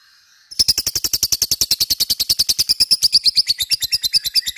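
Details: Lovebird ngekek used to provoke singing in other lovebirds: half a second of near silence, then a sudden loud, fast rattle of high scratchy pulses, regular and continuous to the end.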